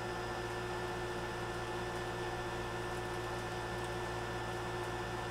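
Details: A constant appliance-like hum fills a small room, with a few soft ticks and no animal voice.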